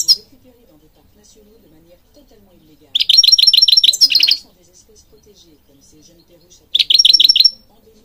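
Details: Singing European goldfinch, recorded for training birds: two rapid rattling runs of evenly repeated notes with a thin high whistle running above them, separated by several seconds of near silence.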